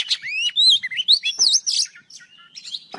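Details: Old wild Oriental magpie-robin singing in the morning, used as a bird-trapping lure: loud, varied whistled phrases sliding up and down, rapid warbled notes with a sharp click near the end.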